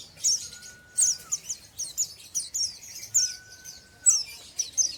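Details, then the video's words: Oriental white-eye, an untrained bird, chattering ngeriwik-style: continuous high, sharp, twittering chirps in rapid bursts, while a separate steady flat whistle sounds twice, each drawn out about a second. "BURUNG PLECI BAHAN NGERIWIK"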